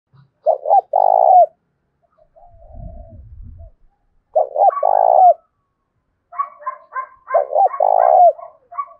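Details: Male spotted dove kept as a decoy, cooing in a challenging style to provoke another male to fight: short stuttering notes then a long rolling coo, repeated twice, followed by a jumble of higher chirping notes.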